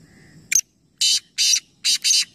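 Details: Black francolin, one of three birds calling together in a calling competition at Nawabshah, Pakistan: a sharp click, then four harsh, rasping broadband bursts, the last two run close together, over a low background rumble.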